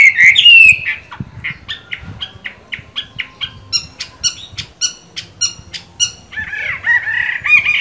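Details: Moulting Chinese hwamei with green-bean eyes: a brief loud warble, then a long series of sharp, clipped notes repeated about twice a second, ending in a burst of fluid, slurred whistling.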